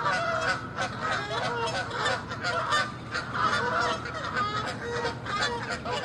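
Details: Several Canada geese fighting, chasing and attacking each other, loud dense chorus of overlapping harsh honks with barely a pause throughout.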